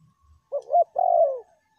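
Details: Spotted dove lure call, from a recording offering the meratus style (angry call pressing a rival) and the melambung style (ordinary calling when quiet); a short two-part low coo, then a longer mellow note sliding downward, against a quiet background.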